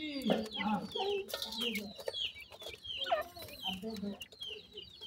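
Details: Grey francolin chicks being fed termites: downward-sliding high peeps from several birds, bursts of broadband clatter, and a recurring low hum.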